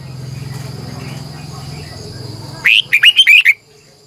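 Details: Morning song of a Red-whiskered bulbul used as a decoy to call in wild birds. After a low humming background, a single quick phrase of five or six bright, twisting whistled notes comes near the end.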